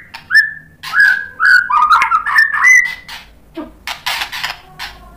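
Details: Agitated white-rumped shama responding to a rival fighter: a stepped series of short ringing whistles climbing and dipping, followed by rough scratchy bursts.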